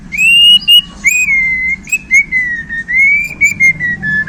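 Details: Borneo white-rumped shama, newly handled, delivering isian: a string of clear, slightly wavering whistled notes, each gently rising then falling, separated by short sharp clicks, over a low background hum.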